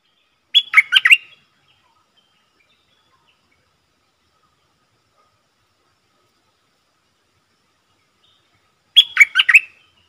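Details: A Streak-eared bulbul kept as a decoy bird, its song used to lure wild birds and train young birds, gives two short bursts of bright, chattering notes about eight seconds apart, with silence in between.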